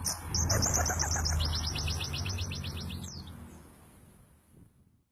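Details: Dakun kelud white-eye singing a rolling phrase: fast strings of high, bright chirps running continuously for about three seconds, shifting slightly in pitch midway, then stopping; low background hum throughout.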